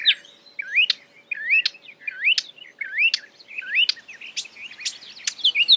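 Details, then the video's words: Marsh warbler (Acrocephalus palustris) singing as a mimic of other birds, delivering a steady run of upslurred whistles alternating with sharp high clicks, roughly one phrase every three quarters of a second. "A marsh warbler (Acrocephalus palustris) imitating other birds"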